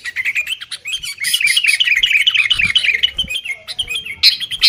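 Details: Continuous quick bubbling chatter from a sooty-headed bulbul in 'tarung' fighting style, played as a lure to start caged birds singing, with a few sharp clicks mixed in.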